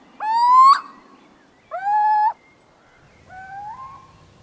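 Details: Little owl (Athene noctua) gives three drawn-out, rising, slightly nasal cat-like mews, spaced about a second and a half apart, the last softer; a nocturnal call that can sound like a cat's meow or someone crying for help.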